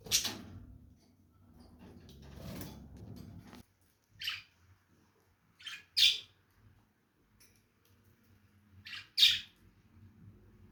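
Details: Lovebirds giving short, shrill, high-pitched squawks in separate bursts several seconds apart, two of them doubled in quick succession, over a quiet background with faint low rustling at the start.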